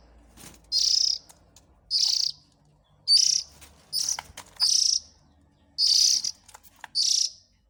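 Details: Seven scratchy, buzzing hisses from an Oriental magpie-robin nestling, a sound meant to attract the parents. They come about once every second, with soft clicks and low rumble between them.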